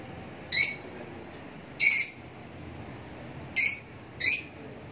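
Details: Lovebirds calling: four short, sharp, high chirps spaced unevenly over a few seconds against a quiet background.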